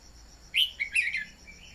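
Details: Red-whiskered bulbul decoy song played to stir other bulbuls into singing: a short warbled phrase of three or four quick slurred notes, over a steady high insect-like buzz.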